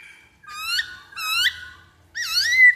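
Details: Black-throated laughingthrush song used as a lure: three loud rising whistled notes rich in overtones, each swooping upward and about half a second long, separated by short pauses, with faint low rumble beneath.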